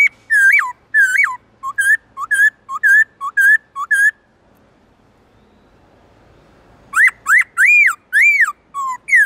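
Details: Forest-style song of a black-throated laughingthrush, used to train captive birds: a brisk string of clear, dipping whistled phrases, a pause of nearly three seconds, then loud arched whistles rising and falling again.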